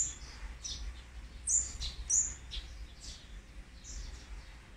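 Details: Olive-backed sunbird nestlings, fourth brood, being fed on the 18th day, 8 March 2020. Busy run of thin, very high chirps and short squeaks, two louder notes close together mid-clip, over a faint low hum.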